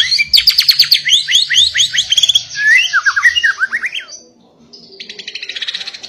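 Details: Insistent song of a White-rumped shama, used to provoke rival shamas into singing, opening with a quick burst of rising whistled notes, then lower downslurred whistles, fading into a soft rapid trill.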